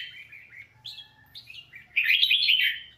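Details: A captive red-whiskered bulbul sings bright, warbled whistles between about 2 and 4 kHz, ending in a loud, rapid run of rich chirping notes, over a faint low hum. The song is used for voice training.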